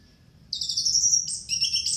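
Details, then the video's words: Orange-headed thrush lure song, played to coax a thrush that has stopped singing. It is a rapid, very high, shrill trilled phrase, pausing briefly and then resuming in a second bright, rattling burst. "pancingan anis merah malas bunyi masteran anis pancingan anis macet"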